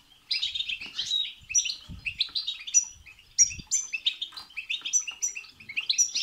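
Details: Goldfinch bitbita and sitsita song meant to stimulate singing; after a brief pause, a flowing stream of twittering notes, tinkling high whistles and buzzy rolls, with a few faint low knocks.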